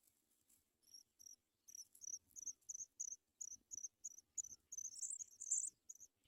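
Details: Paddyfield pipit chicks in the nest begging while a parent brings food: thin, very high squeaky notes in short bursts, repeated about three times a second and growing louder and denser toward the end, with faint low rustling.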